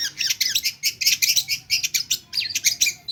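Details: Long-tailed shrike, kept bird in full song packed with mimicked phrases, delivers dense bursts of harsh chattering and high squeaky notes in quick succession with barely a pause.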